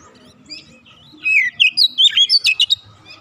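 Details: Untrained kacer, or oriental magpie-robin, singing eagerly: a long slurred whistle followed by a quick string of about eight sweet, bouncing whistled notes, over faint low background noise.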